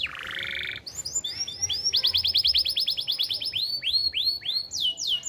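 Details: Constantly singing AF canary, used as a master for young birds and to encourage hens to breed. A buzzy burst, then quick rolling trills and clear, high swooping whistles in varied tours.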